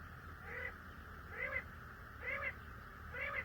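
Common Quail giving short, arched, slightly nasal notes, repeated about once a second, over a steady background hiss.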